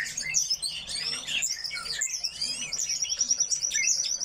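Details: In an aviary, a group of coal tits chatters with high, thin chirps, ending in a rapid run of very high, evenly repeated ticking notes.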